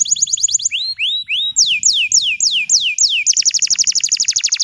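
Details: Bottle-green canary in full song, used to teach young canaries: fast repeated high notes, upswept whistles, a series of slurred descending notes about twice a second, then a rapid rattling trill.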